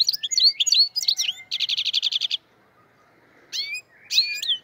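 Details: European goldfinch from Andijan, Kuva and Fergana: lively twittering notes give way to a fast, evenly pulsed buzzy trill lasting about a second, then silence and two short bursts of sweet chirps.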